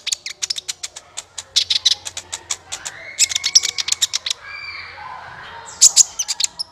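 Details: Lure recording of a sunbird (kolibri ninja) for bird trapping. Rapid, dense run of thin, high ticking chips, a softer high whistle midway, then a fresh flurry of piercing notes near the end.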